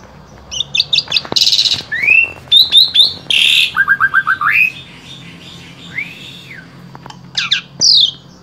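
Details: Captive Asian pied starling from Wonosobo, Central Java, singing a varied, jumbled song of high whistles, rising slurred notes, harsh rasping bursts and a quick run of short chirps. Asian pied starling.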